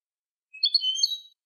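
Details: European goldfinch song meant for training young goldfinches: one brief, rich phrase of overlapping high tinkling and buzzy notes, quickly slurred together, with no background noise.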